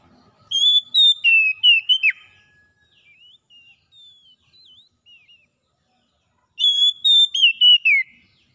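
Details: Oriental magpie-robin in 'ngalas' wild-style song, offered as therapy for a bird that has stopped singing: a loud burst of clear whistled notes with downward slurs, a pause of soft scattered notes, then a second loud burst near the end.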